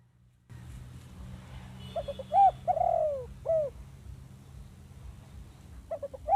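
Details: Lure recording of zebra dove song for catching wild birds; one phrase of staccato notes leading to a long, downward-gliding coo and a short coo, then another phrase starting, over steady background hum.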